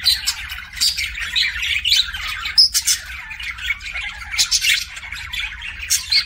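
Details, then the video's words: Pet budgerigar making kissing sounds: rapid scratchy chirps, clicks and short squeaky whistles in irregular bursts, with a steady low hum underneath. "BUDGIE KISSING SOUNDS"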